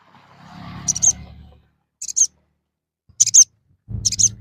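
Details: Little spiderhunter calling, played to provoke fighting males: four clusters of shrill, high chip notes about one second apart. A low rumbling noise runs beneath the first and last clusters.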